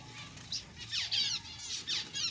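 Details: Newborn zebra finch chicks calling: high, buzzy, downward-sweeping squeaks in quick bursts, roughly every half second, with brief quieter gaps between.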